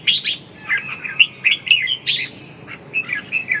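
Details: Competitive singing of a red-whiskered bulbul meant to revive a bird's lost drive and vigor: short, bright, liquid whistled notes and chirps in quick bursts, separated by brief gaps.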